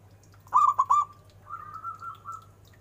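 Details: Zebra dove of a local type prized for its large voice: three quick, loud hollow notes followed by a long, quieter, slightly rising trilled coo, with a constant low electrical hum behind.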